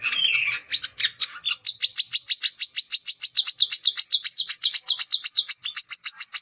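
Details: Male brown-throated sunbird (kolibri kelapa) singing a rival-challenging chatter. A few scratchy, jumbled notes open, then give way to a long run of rapid, high, metallic chips repeated evenly for several seconds.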